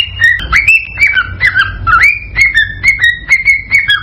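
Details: Excited male cockatiel song meant to prompt a female to mate: varied whistled phrases with warbling dips and upward slurs, then even, level whistles repeated roughly twice a second.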